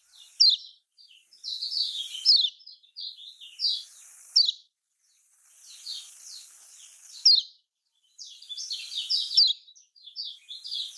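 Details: Kecial kuning song typical of Lombok, played as a lure for reluctant singers: scattered high twittering bursts separated by short gaps, with a faint hissing background between phrases.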